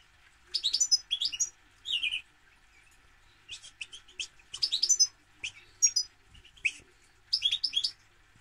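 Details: European goldfinch delivering repeated twittering phrases: rapid liquid chirps, a downslurred whistle and buzzy trills, grouped in short bursts spaced about a second apart, over a quiet background hum.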